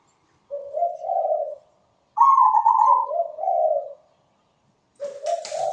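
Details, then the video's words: Zebra dove with a sweet, rhythmic song: a low rolling coo, then a bright higher note sliding down into lower bubbling coos, and a third phrase starting with a short rustle. "PERKUTUT GACOR SUARA MERDU"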